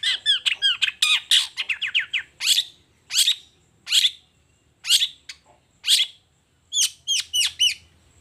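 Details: Long-tailed shrike singing in the morning, a rapid burst of chirps followed by single harsh notes spaced about a second apart, then a quick run of sweeping notes.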